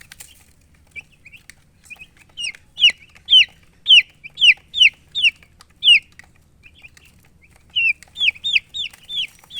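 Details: Baby chickens (chicks) chirping: sharp, high, downward-sliding peeps given in quick runs of about two per second, a brief lull near the middle, then another fast burst of peeps toward the end; faint background murmur.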